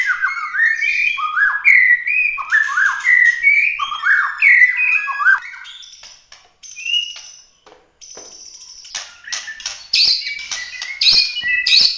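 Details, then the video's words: Bahorok white-rumped shama (murai batu) in full-emotion 'tembakan' competition song: rapidly repeated rising whistled phrases, about three a second, then a short pause followed by sharp clicks and harsh bursts mixed with high whistles. "kicau prestasi full emosi suara tembakan murai batu Bahorok asli"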